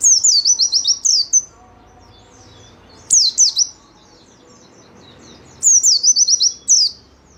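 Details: Caged white-eye used to lure and train other caged birds, singing high thin bursts of rapid descending notes in trills, three phrases spaced a few seconds apart, with faint background hum.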